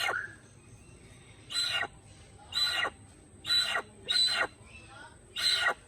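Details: Little hornbill with natural sound: harsh, broadband squawking calls given in short bursts roughly once a second, five notes with pauses between, over a steady faint background hum.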